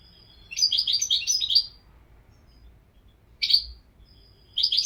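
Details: European goldfinch singing a quick string of tinkling twitters, then a single sharp chirp and the start of another twittering burst.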